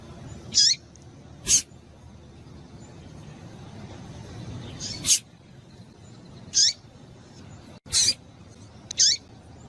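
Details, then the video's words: Female Rusty-collared seedeater calling to stimulate a male: short sharp high chips, each with a falling tail, given singly at irregular gaps of one to three seconds over faint background hiss. "fêmea de coleiro quente para esquentar coleiro"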